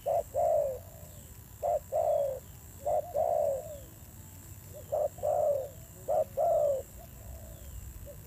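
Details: Wild-caught spotted dove cooing fiercely but more slowly, five spaced pairs of low hollow coos, each a short note then a longer downward-sliding one, with pauses between pairs and a faint constant high hum.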